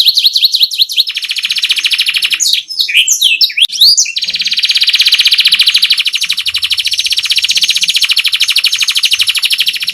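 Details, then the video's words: Canary rolling song meant as a tutor for other songbirds: brief repeated chevron notes, a burst of varied swooping whistles, then a long steady buzzy roll of fast pulsed notes lasting about six seconds. "Suara MP3 Kenari ngerol untuk masteran"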